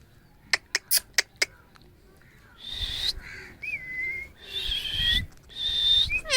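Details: An angry Alexandrine parakeet gives three harsh, grating screeches mixed with brief whistled notes, after four sharp taps at the start.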